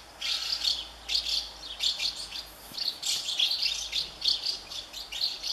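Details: House martin chicks in a colony of thirty nests, fed by parents, keep up a dense, high, twittering chatter in overlapping bursts about twice a second, many hungry young begging at once.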